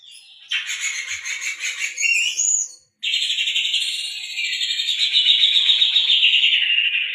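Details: Oriental magpie-robin singing a song with canary-style fill-in phrases, used as a lure to prompt other birds: long, fast, high, rattling trills, broken by a brief pause, then resuming as a sustained, rapidly pulsed warble.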